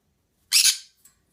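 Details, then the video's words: Green-cheeked conure making noises: one harsh, loud squawk about half a second long, rough and broadband with a slight double peak, followed by a tiny faint click and then quiet. "Green Cheek Conure Making Noises"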